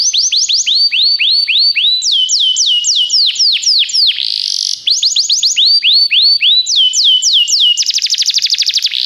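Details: Canary song, played to encourage a pet canary to sing: tours of loud, rapidly repeated downslurred whistles at about four per second. The notes shift in pitch between tours and end in a fast, buzzy trill.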